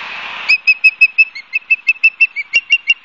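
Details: Nesting osprey at Barnegat Light, New Jersey, caught by a nest cam on 12 September 2022 at 16:34; after a brief hiss, a fast run of piercing whistled chirps, about three each second, some dipping slightly.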